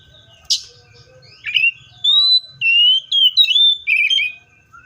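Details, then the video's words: Seychelles magpie-robin opening with a harsh chip, then a flowing string of sustained and downslurred whistles, loud and clean against a faint low rumble. "COPSYCHUS SECHELLARUM BIRDS SOUNDS LIKE IN NATURE LOUD CLEAR SOUNDS"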